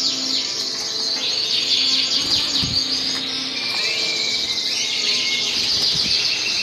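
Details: Canary singing a dense, unbroken stream of high, rapid trills and chirps with quick sweeping notes, a brief steady whistled tone midway, and a faint low hum beneath.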